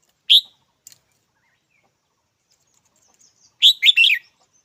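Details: Red-whiskered bulbul giving a single sharp, bright chirp, then after a pause a quick burst of three or four clear, slightly buzzy notes; otherwise quiet with no other sounds.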